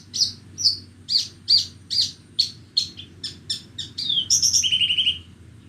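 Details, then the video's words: Horsfield's bush lark (branjangan borneo) singing on a bright morning: evenly spaced high chirped notes repeated roughly twice a second, quickening into a fast high trill that drops to a lower buzzy warble. "mendengarkan burung branjangan borneo bernyanyi"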